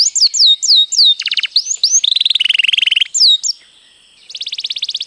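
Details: Rolling canary song meant as a training master: curling whistled notes, then low, fast buzzing trills, a few more slurred whistles, a short quiet gap and a fresh rapid trill.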